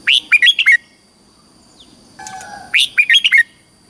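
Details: Red-whiskered bulbul from Thailand, caged, singing to excite or teach other birds: a fast run of five bright whistled notes, a pause with a brief low tonal sound, then a matching whistled phrase.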